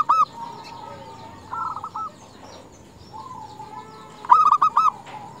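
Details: Female zebra dove calling males: a short coo at the start, a mid-volume phrase near 1.5 seconds, then a loud burst of four rolling coos near 4.3 seconds, over faint background cooing.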